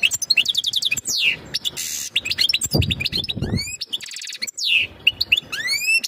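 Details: European goldfinch mating calls, used to prepare a female for breeding: quick tinkling twitters, buzzy rasping notes and sweeping downslurred whistles in lively bursts, with some low background noise.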